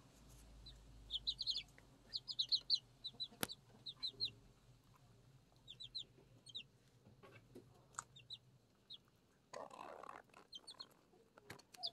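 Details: Six Araucana and Leghorn chicks kept at home while eating and drinking; bursts of thin high peeps early on, then sparser peeps, with clattering and a rustling noise near the end.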